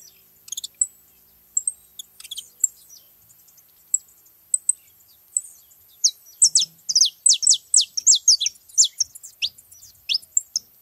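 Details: Saffron finches at a feeding spot: scattered thin chips at first, then a lively burst of loud, high, steeply falling whistled notes, quickly repeated for several seconds.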